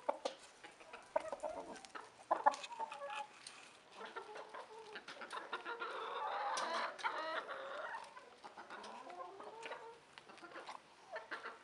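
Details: A rooster with hens keeps up busy, irregular clucking and squawks. A sustained, louder cackling call rises through the middle before the flock settles back to scattered clucks.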